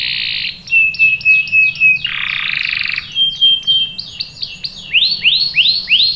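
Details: Canary, a female in breeding condition calling the male, sings a lure song in varied tours: buzzy bursts, a long flat whistled note, repeated clipped notes, then a series of rising swept chirps.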